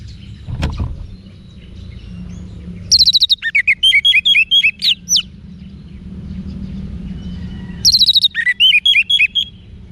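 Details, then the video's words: Wiksar song of an orange-headed thrush (anis merah), used for cage-bird training: two bursts, each opening with dense rapid chips then a string of repeated sharp slurred whistles, separated by a few seconds of quiet low hum. "ANIS MERAH Manapun Bakal Nyaut Berani Untuk Figther Saat Didengarkan Kicauan Wiksar Ini"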